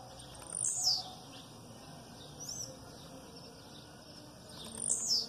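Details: Aggressive Blue-black grassquit song with female calls in the background, two high buzzy downslurred notes about four seconds apart with a soft chirp between them.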